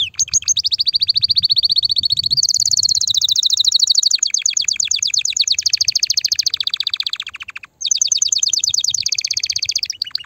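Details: Mighty canary song to stimulate mating: long sequences of fast rolling trills that change pitch and tone, a brief pause, then more rapid trilling, over faint low background rumble.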